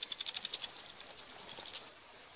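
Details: Eurasian wryneck chicks being fed at Pribytki, Russia, on 2 July 2018: rapid high, hissing, buzzy begging notes in a quick pulsed series of about two seconds, then quiet.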